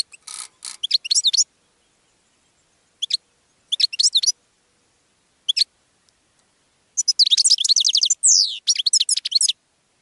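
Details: Goldfinch song for attracting other birds: short scattered chirps and twittering bursts, then a long rapid high-pitched phrase with a sliding buzzy note in the middle.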